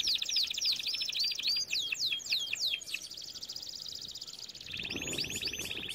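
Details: Canary song used for training canaries: repeated downward-sweeping whistled notes, then fast buzzy trills around high pitch, ending with a lower rapid rolling trill and more sweeping notes.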